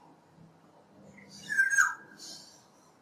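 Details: A single harsh, nasal myaa-like call from a black-naped oriole (Oriolus chinensis), rising briefly then falling, with quiet hiss before and after.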